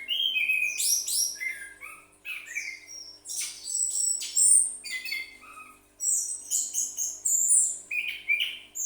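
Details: Vigorous song from a captive orange-headed thrush kept as a pet: dense, fast sequences of shrill whistles, trills and slurred notes that jump between pitches, delivered almost without pause, with a faint constant hum behind.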